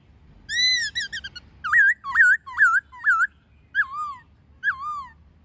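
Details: Wild-style song of a white-cheeked laughingthrush, played to train young captive birds: quick stuttering whistled notes, then loud looping whistles roughly every half second, with a pair of slurred falling notes near the end.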